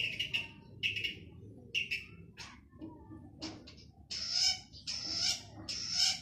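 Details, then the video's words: Male long-tailed shrike in active song. Clipped chattering notes lead into louder, drawn-out harsh rasping phrases near the end, over a soft background hum. "Burung cendet jantan gacor dor cocok untuk pancing cendet bisu"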